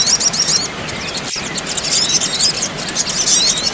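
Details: Crimson sunbird, female and male, calling noisily as therapy for a stressed bird: rapid, very high-pitched twittering of short squeaky slurs and chirps in busy bursts, over a constant hiss, with a single click.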